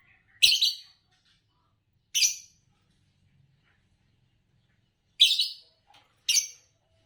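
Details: Four short, harsh chirps from a green Fischer's lovebird, a song-competition winner in Indonesia, spaced irregularly with long silent gaps between them.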